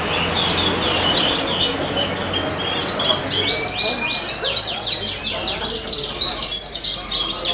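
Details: Horsfield's bush lark competition bird singing at a songbird contest in an animal market in Purbalingga, Indonesia: dense, rapid high chirping and trilled phrases with a thin whistled line, other contest birds and crowd murmur behind.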